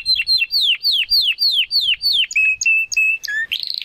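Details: Young Classico Spanish Timbrado canary practising toward its complete song: repeated loud falling slurs roughly five per second, then a run of short flat piping notes, finishing with a brief, buzzy, rapid trill.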